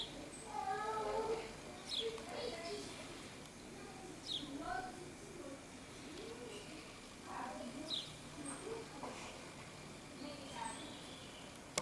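Common starling giving a varied, jumbled run of whistles, clicks, nasal mews and harsh chattering notes, several each second, with a constant low background hum.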